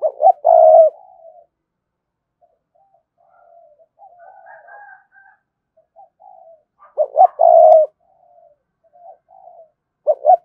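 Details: Spotted dove of the Cườm Sa type calling a complete song sequence to draw in wild doves. Loud, deep, throaty coo bursts open and return near the end. Softer murmured coos fill the gaps between them.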